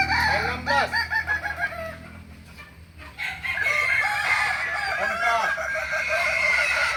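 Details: Kukuak Balenggek rooster crowing at a practice crowing contest in Ampang Kualo, Kota Solok, May 2024: a quick run of about six arched, harmonic syllables in two seconds, then a steady noisy background with a constant tone and faint calls.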